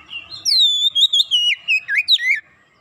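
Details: Fast, busy singing from an Oriental magpie-robin (kacer): a loud sweeping whistle that falls, then a chain of quick looping warbled notes, ending abruptly into quiet.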